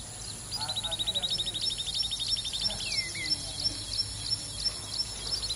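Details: Common babbler uttering a rapid run of high piping notes that slide slightly downward, followed by spaced sharper notes, against constant background hiss.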